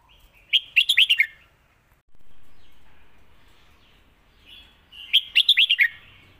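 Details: Red-whiskered bulbul in Lak Wai song style: two rapid phrases of five or six bubbly, slurred whistles, about four seconds apart, with soft warbling and a hiss in between.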